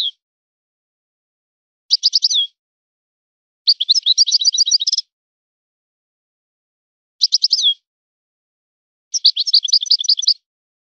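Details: European goldfinch singing in a named local song style. Bursts of fast, tinkling trills and liquid twitters, each up to about a second long, are separated by silences of one to two seconds. No other sounds.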